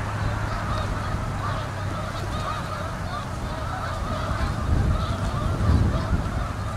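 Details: Canada geese in November at South Utica Reservoir, Utica, NY; a large flock giving repeated honks that overlap densely, with a low steady hum and rumble underneath.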